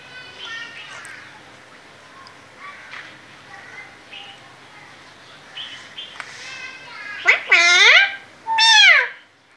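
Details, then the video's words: Pet parrot mimicking Urdu/Hindi speech: soft voice-like harmonic phrases murmured through the first seconds, then two loud, harsh, downward-sweeping calls near the end, each about half a second long. "Cute Talking parrot😘 | Parrot talking in urdu/hindi"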